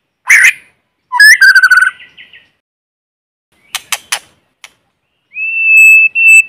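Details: White-rumped shama in forest, singing a lure song meant to excite other birds: short varied whistled phrases and a few clicks, ending in a long, steady, clear whistle. No background noise.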